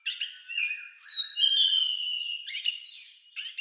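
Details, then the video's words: Oriental magpie-robin song, strange to the ear and somewhat like a lovebird's, used to prompt other birds to sing: long clear whistled notes, a sliding tone, then quick chirps. "Suara Burung Lagu Unik Kacer Ini Cocok Untuk Pancingan"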